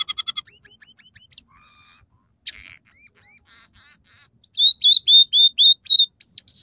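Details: Singing scaly-breasted munia, with three song variations and fill-ins of house sparrow, red siskin and canary. A quick rattle and soft twittering notes lead into a loud, even series of about ten ringing arched whistles.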